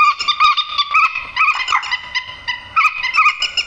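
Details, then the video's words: Grey-headed swamphen 'trích ré' screech for luring birds into night nets; short, rapid, yelping nasal notes with rich harmonics, crowded closely together. "tiếng trích ré"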